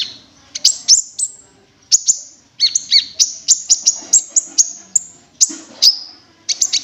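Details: Cinereous tit calls used as a lure for trapping or attracting birds: sharp, very high chirps and short whistled notes in quick irregular bursts, some descending slightly, with brief pauses between groups.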